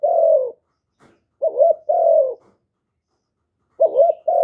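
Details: Spotted dove, used as a caller to stir other doves into answering. Mellow coos: a long falling note, then a short dipping note and another long hoot, with a silent pause before the pair returns.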